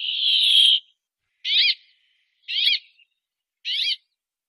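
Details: Brambling song: one drawn-out nasal buzzing wheeze, then three short rasping notes spaced about a second apart, with no other sounds.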